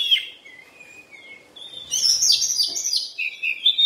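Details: Oriental magpie-robin (kacer) in its molting period. The song opens with thin whistled notes, then after a pause breaks into a dense run of bright, varied chirps and trills, with quick high squeaky phrases overlapping.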